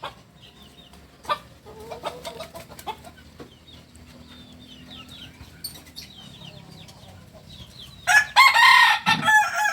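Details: Kukuak Balenggek rooster from Solok, West Sumatra: faint bird chirps and scattered clicks first, then a loud, harmonic crow broken into quick stepped syllables during the final seconds.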